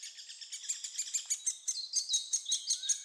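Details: Young great spotted woodpeckers being fed at Staverden, Netherlands, keep up a fast, high, buzzy chatter of about five or six harsh chirps a second.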